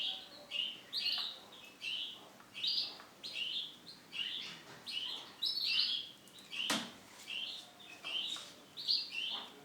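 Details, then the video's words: Male Starblue canary in song: a long run of rapid chirped and trilled notes, high and bright, pulsing in short phrases about once a second, with one sharp knock midway. "CANARY JANTAN STARBLUE"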